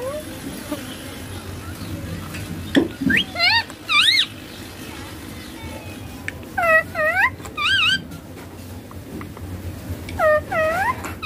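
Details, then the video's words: Green ringneck parakeet playing on a mobile phone utters short, separated talking bursts. Each is a high, arched harmonic syllable, grouped in twos and threes with quiet gaps between, plus a couple of faint thumps. "Ringneck Green Parrot talking"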